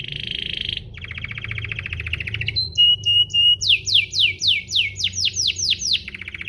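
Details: Canary (Serinus canaria domestica) provocation song for other canaries: buzzy trills, short whistled notes, then a string of loud falling sweeps ending in another trill.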